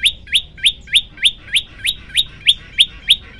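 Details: Rapid tembakan-style song of a prenjak lumut, a tutor recording for training birds: regular upward-sweeping chirps with a sharp high tip, close to three each second, loud and very even over a quiet background.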